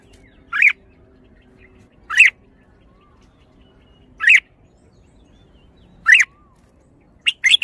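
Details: Single bright, slightly rising notes from a red-whiskered bulbul, repeated about every two seconds, five in all, with the last coming as a quick pair. A faint background hum is present.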